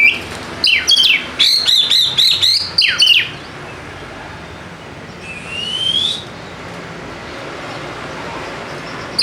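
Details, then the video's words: White-rumped shama song played to coax a reluctant bird into singing: quick series of sharp descending sweeps and whistles, a pause, then one long rising whistle. "PANCINGAN AMPUH UNTUK PIKAT KACER YANG MALAS BUNYI SEKETIKA GACOR"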